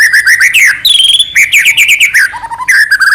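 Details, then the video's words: White-rumped shama, Medan type, pouring out full-fill gacor song to set off another shama's singing. It gives quick slurred whistles, a sustained high whistle, chattering runs and low rising notes, all tightly packed. "murai batu gacor AMPUH buat PANCINGAN murai batu agar bunyi"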